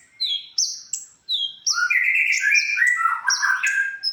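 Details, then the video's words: Konin (olive-backed sunbird) recording for training songbirds: a few high sharp notes, then a busy twittering warble of lower, rapidly changing phrases. "suara original konin untuk masteran"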